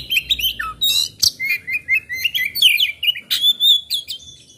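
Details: Energetic oriental magpie-robin (kacer) song, 'gacor' style: a dense run of high whistled notes, quick chirps and rising, falling slurs, delivered in rhythmic bursts about twice a second, close and clear.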